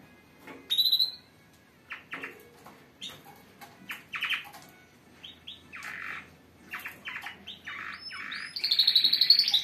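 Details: Several canaries singing together, a strong group song meant to stimulate other birds: bursts of short rattling trills and chirps repeated rapidly at mid-high pitch, with occasional thin high whistles and a faint room hum beneath.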